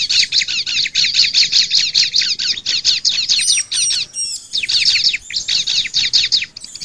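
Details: Bar-winged prinia song, used as a stimulating lure: a long, evenly paced series of repeated sharp chirps, several per second, broken by a short burst of high whistled slurs, then the chirping resumes.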